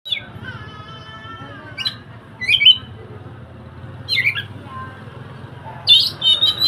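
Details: Oriental magpie-robin song used for training a silent bird: short bright whistled phrases around high pitch, separated by pauses of one to two seconds, with scratchy chattering notes and a faint low hum underneath.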